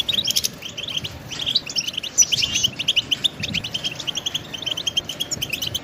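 A goldfinch sings a fast, unbroken twitter of bright tinkling and buzzy notes, high-pitched and jumbled, with no other sounds in the background.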